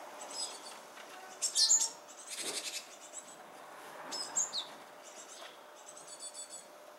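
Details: Japanese tit calling near fledging time, the bird seeming oddly to hold back; a few short, sharp high chirps in separated bursts, with quieter faint twittering between them over soft background hiss.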